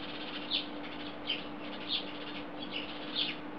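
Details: In July 2016, a chorus of house sparrows perched on a wire in Belgrade, Serbia, gives short, bright chirps, about one every three-quarters of a second, over a steady low electrical hum.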